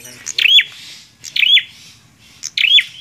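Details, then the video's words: Bar-winged prinia giving loud, sharp chirping bursts with a thin whistle, spaced about a second apart, over faint low background noise. "PRENJAK KLAWU GACORR"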